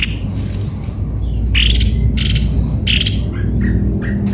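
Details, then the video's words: Short scratchy chattering notes from a cucak kopi-kopi, several in quick succession, with a low droning hum underneath. "Baru tahu!!!!!ternyata begini suara burung Cucak kopi - kopi"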